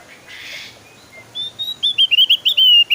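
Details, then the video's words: Javan grey-throated white-eye singing: a soft rasp, then a quickening run of bright, high whistled notes that grow louder and slur downward toward the end. "SUARA BURUNG OPIOR JAWA GACOR"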